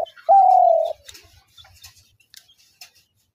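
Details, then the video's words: Spotted dove call used for luring doves into traps: one clear, long, slightly falling low coo after a brief clipped note, followed by quiet with faint clicks. "ঘুঘু পাখির ডাক/Dove bird calls/gugu pakir dak/ dove trap sounds"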